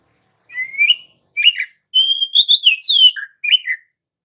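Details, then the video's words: Oriental magpie-robin singing steadily, its song played as a lure to set other magpie-robins singing: a run of short, varied whistled phrases, rising slurs and bright warbled notes with brief pauses between them, in a quiet background. "PANCINGAN suara kacer GACOR NGEROL"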